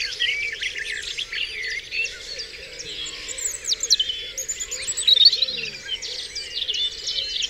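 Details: Dawn chorus on Dewlands Common: many birds singing at once, with dense overlapping whistles, trills and chirps at high pitch, plus a steady low hum beneath the songs.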